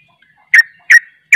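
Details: Sooty-headed bulbul (trucuk) in 'ropel' delivery: three loud, punchy notes spaced about 0.4 seconds apart, each with a brief trailing tone.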